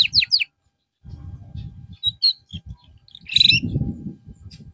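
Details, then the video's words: Caged canary singing as therapy after losing its song form; short bursts of quick downward-sweeping whistled notes with pauses between them, over low rumbling background noise. "TERAPI BURUNG KENARI SETELAH AMBROL"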